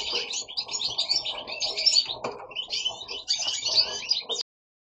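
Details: Goldfinches singing indoors at home give rapid, high twittering phrases of chirps and jingling trills for about four seconds, then the sound stops abruptly.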